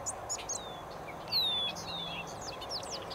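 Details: Meadow bobolinks, a hurried medley of high sharp chips and descending whistled slurs, the loudest burst midway, against a faint steady background hum.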